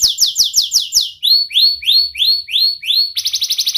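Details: Young canary singing a sharp, nonstop song used as a lure to train young and lazy canaries: a fast run of descending sweeps, then a row of rising whistled notes about every third of a second, ending in a rapid buzzy trill.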